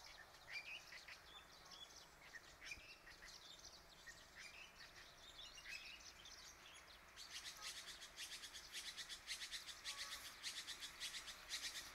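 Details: Red-billed blue magpie in Phu Khiao Wildlife Sanctuary, Thailand: scattered squeaky chirps give way to a fast, harsh, rasping chatter repeated many times in the last few seconds.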